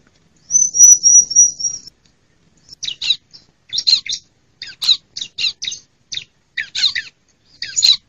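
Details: Female bar-winged prinia call serving as a lure for wild birds and reluctant male singers; a fine high trill opens, then silence, then a steady series of short, sharp, scratchy chips, roughly four per second.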